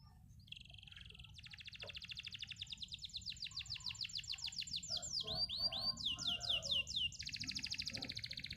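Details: Canary singing a long continuous song: rapid repeated trills of high notes, shifting between tours of buzzy pulses and sweeping downslurred whistles, over a low steady background rumble.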